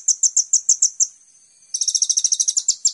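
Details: Olive-backed sunbird (Cinnyris jugularis) song, used as a lure recording to get other birds singing: a high, thin run of sharp, tinny chips about six a second, a brief pause, then a faster, denser burst.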